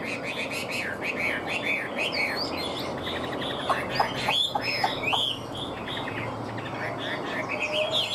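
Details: Caged hwamei for sale, tame and fan-tailed, noted for a good voice: a lively sequence of bright, wavering whistles and descending slurs, steady over a faint background noise.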